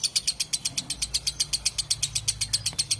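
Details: Rapid, regular lovebird chatter in the long ngekek style, with crisp high-pitched notes coming about four per second, clear over a faint low hum.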